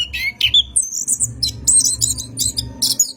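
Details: Lure song of an orange-headed thrush at night, used to train cage birds: a rising whistle, then harsh, buzzy high chatters in quick succession over a low rumbling hum.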